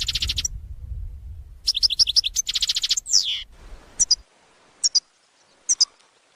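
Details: Goldfinch song used as a trapping lure: fast bursts of high, bright twittering notes, then a sweeping slurred note and three well-spaced sharp double chips, with a low rumbling background early on.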